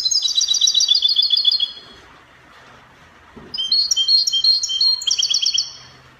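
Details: European goldfinch from Morocco singing copia style: a long fast chain of high, glassy twittered notes, a pause with a faint knock, then a second, more varied run of bright trills and chips.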